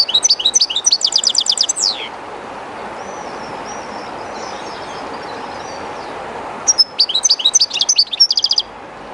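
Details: European goldfinch, a kept bird taken to the bank of the Jerte River and a little shy there, gives a fast twittering trill, falls silent for several seconds over the river's rushing hiss, then resumes with sharp tinkling notes.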